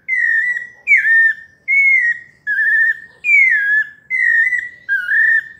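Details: Sabiá parda paulista, the pale-breasted thrush, singing a melodious series of bright whistles, each long phrase sliding gently downward, repeated about every eight-tenths of a second with no other sounds.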